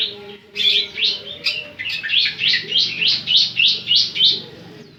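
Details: Javan sun-bird, semi-gacor, singing an evenly paced series of high chirped notes, roughly three to four per second, after a couple of introductory chirps.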